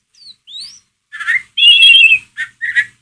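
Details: White-rumped shama ngeriwik chatter used to stir a pet shama: two thin high upslurred whistles followed by a long harsh buzzy trill and short rasping bursts.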